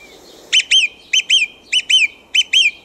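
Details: A thrush singing in a back garden at night, repeating its phrases: a crisp whistled double note, a sharp upward flick then a ringing slur, four times about every 0.6 seconds over faint hiss.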